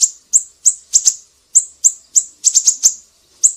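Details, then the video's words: Tutor recording of a lively siri-siri for cage birds such as murai batu and kacer; rapid shrill chirps, mostly single, with pairs and a quick burst of four notes, around three per second. "Masteran burung siri-siri GACOR"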